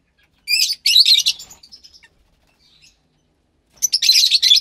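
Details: Fischer's lovebird chick about 15 days old, captive-bred from lutino and pastel blue birds; two loud harsh buzzing bursts of rapid chirps separated by a fading trill and near silence.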